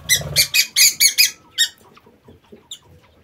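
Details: Aviary lovebirds calling in a fast series of about six loud, harsh, buzzy screeches in the first second and a half, then quieter scattered chirps and one brief shrill note; indoor setting.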